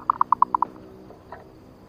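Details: Zebra dove lure call, used to attract wild zebra doves, gives a quick run of six short, mellow mid-pitched coo notes in about half a second, then one faint note after a pause.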